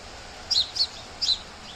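A sparrow gives three short, high chirps within about a second, each a quick bright note, over a faint steady background hiss.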